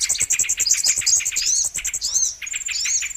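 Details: Lure recording of brown-throated sunbird for trapping birds: quick high chirps followed by several sweeping, arched whistled notes that rise and fall, all in a bright, thin register.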